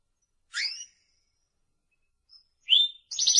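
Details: Timbrado canary (Serinus canaria) song: a short bright chirp, a pause of nearly two seconds, then a sharper descending note and the start of a fast, high, rattling trill cut off at the end; otherwise quiet background.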